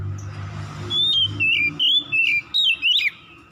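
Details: Oriental magpie-robin singing at dusk: a series of six clear, whistled phrases of sweeping, slurred notes in quick succession, some rising and some falling, over a low background hum.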